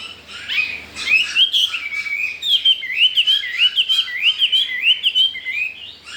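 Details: Newly arrived wild-caught Chinese hwamei, captive, four days after arrival, described as singing well, unafraid of resident birds and wanting to breed; loud, rapid run of whistled, slurred notes that rise and fall, with some phrases repeated in quick succession.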